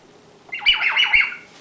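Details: Ten-month-old female bare-eyed cockatoo, kept as a pet indoors, coaxed to talk but giving her 'laser beam noise' instead: a loud, rapid run of about four buzzy, harmonic downward sweeps lasting under a second, then a woman's voice.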